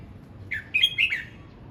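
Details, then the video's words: Red-whiskered bulbul practising its song: one brief phrase of a quick rising note and two liquid, downslurred whistles. "Chào mào hót luyện giọng"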